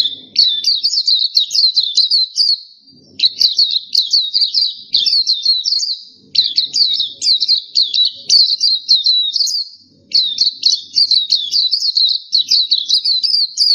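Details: Black-capped white-eye song, the kind used as a masteran training track: high, fast chattering warbles delivered in phrases of about two seconds with short gaps between them, steady and loud.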